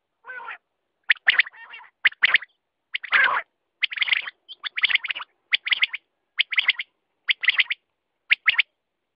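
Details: Quail giving rapid, clipped note groups repeated about every second, opening with a lower buzzy note and one longer, harsher burst.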